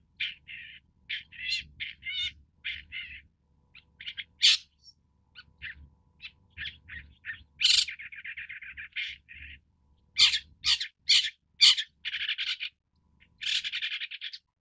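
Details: Long-tailed shrike (Lanius schach): extended medley of scratchy chattering phrases, clipped chirps and loud harsh squawks, with a grating rattle in the middle and repeated sharp notes near the end.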